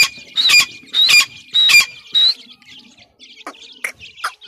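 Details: Grey francolin chicks at feeding time give four loud, rasping squawks in quick, even succession, about two per second. Faint scattered chirps and ticks follow.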